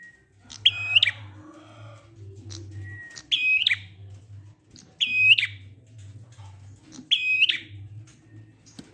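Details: Prinia song in the ngalun style, played so other prinias join in: four matching flat, buzzy notes with click onsets and rasping ends, repeated about every two seconds, plus soft high chirps and a constant low hum.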